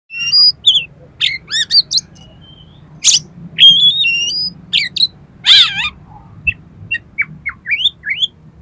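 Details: Oriental magpie-robin (kacer) song played to trigger another kacer to sing and spread its tail: varied whistled and buzzy phrases, sharp rising and falling notes with harsh bursts, all high-pitched, over a low hum.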